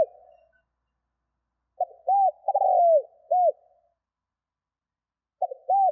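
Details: Spotted dove coo used to provoke wild doves to call fast: two phrases of soft clipped note, arched hoot, downward-gliding rolling trill and closing hoot, separated by a pause of several seconds, quiet background.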